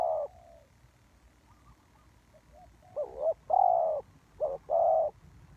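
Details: Spotted dove calling as a trapping lure: an opening coo, soft faint notes, then a run of loud mellow coos, including a long steady one and a short double note, against low background noise.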